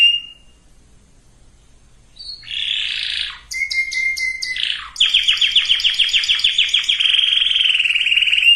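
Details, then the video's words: Canary song for conditioning breeding males and females: a brief whistle, a pause, buzzy rolls and a flat whistle with clicks, then a long loud fast trill. "اقوى وافضل تغريد كناري لتجهيز الاناث وتجهيز الذكور canary singing"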